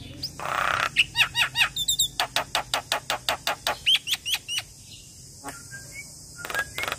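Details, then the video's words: Javan myna, a young bird, delivers a fast run of sharp clicking notes about three per second, broken by hooked whistles, then falls quiet with a few soft distant chirps. "Jalak Kebo Super Gacor Rajin Ngoceh Seharian - Masteran Jalak Kebo Muda"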